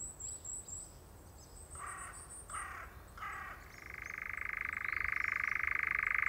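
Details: A European nightjar on a heath gives three short throaty bursts, then a steady mechanical churring trill that grows louder, with thin high whistles from another bird early on.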